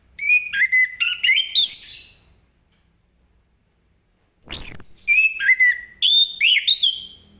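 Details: Orange-headed thrush singing in the ngeplong style in the morning, meant to spur other birds to answer: rapid bursts of varied whistled notes for two seconds, a pause, a sharp descending sweep, then more quick whistled phrases.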